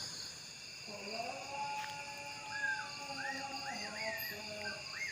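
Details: Unidentified strange bird calling from a treetop at night after sunset: a series of whistled, arching notes repeated about every half second, over a steady high drone of insects.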